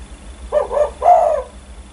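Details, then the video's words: Spotted dove, a prolific 'kuk 1' style caller used as a lure and said to set other birds calling: two short, low hollow coos, then a longer rolling coo, all at a similar mid-low pitch, over faint steady background hum. "Burung tekukur gacor idaman kuk 1 bikin geger burung lain ikutan bunyi"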